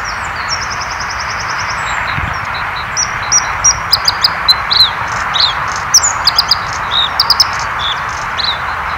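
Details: White-spotted Bluethroat (Luscinia svecica) sings a varied, high-pitched song: a quick buzzy trill, then sharp metallic ticks and short whistled phrases, over a steady rushing background of distant traffic or wind.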